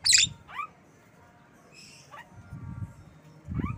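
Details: Black-winged myna kept as a pet, calling: a harsh burst opens, followed by short rising whistled notes sweeping upward, spaced irregularly, with low rumbling background noise.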